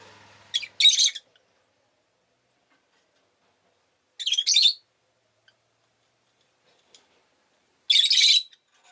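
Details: Rosy-faced lovebird indoors uttering three short, harsh screechy chirps spaced roughly three to four seconds apart, with a faint low hum of town noise at the start.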